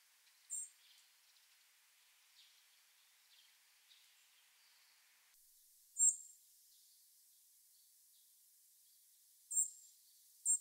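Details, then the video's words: Hawfinch giving its call notes: four sharp, very high, clipped 'tik' notes spaced irregularly, two close together near the end, over an otherwise quiet background with faint distant chirps early on. "シメの鳴き声 | 地鳴きとぐぜり"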